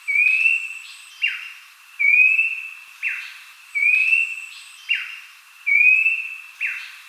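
Abbott's babbler song: a clear rising whistle followed by a quick falling note, repeated about every two seconds.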